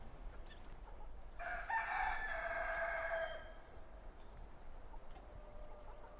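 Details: Rooster on a farm, recorded with natural sounds and no music, giving one long drawn-out crow with a steady harmonic tone, over a low rumbling background.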